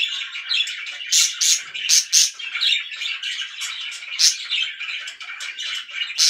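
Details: Loud pet budgerigars chattering: a dense, buzzy warble punctuated by repeated sharp, high chirps at irregular intervals throughout.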